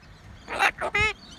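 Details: A tame sulphur-crested cockatoo in a park in Santa Barbara, perched on a person's hand, talks: two raspy, breathy syllables followed by a clearer, voiced word-like sound, all within about a second.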